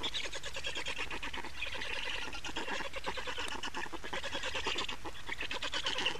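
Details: Estonian black storks at their nest on 28 May 2019, 15:51, changeover and feeding time: steady rattling chatter of quick hoarse pulses, evenly repeated, with slightly softer, lower-toned stretches between brighter bursts.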